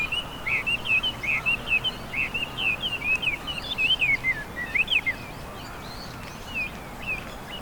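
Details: Chinese hwamei singing in spring among riverside cherry blossoms in Hiratsuka, Japan; rapid run of short warbled, wavering whistled notes for five seconds, then quieter scattered notes, steady low background noise.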